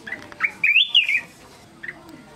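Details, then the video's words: Black-crested bulbul song with no background noise: a brief run of bright, warbling whistled notes, rising then falling, with a few short chirps before and after. "เสียงนกปรอดเหลืองหัวจุก Black crested bulbul Sound"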